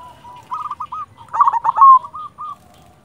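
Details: Zebra dove (perkutut), silver local bird, giving a short phrase: a few clipped coos leading into a loud, rolling, slightly falling flourish and a last short note.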